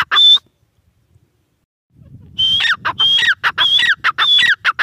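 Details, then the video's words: Teetar, the grey francolin, with one brief shrill phrase, a two-second silence, then a renewed series of loud, harsh, rhythmic whistled phrases over faint low background noise. "Teetar ki awaaz | teetar | teetar | teetar sound | gray francolin teetar voice"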